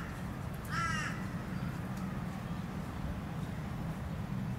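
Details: Plumed whistling duck (Dendrocygna eytoni) on the Sunshine Coast, Queensland, Australia, May 2023, gives one brief, slightly wavering whistled note near the start, then a steady low rumble of wind or distant noise.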